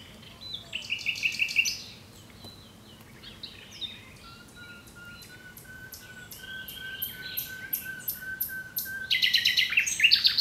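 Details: Common nightingale in full song: varied rattling phrases open, then a long evenly spaced series of low piping notes swelling steadily, ending in a burst of rapid high trills and clicks.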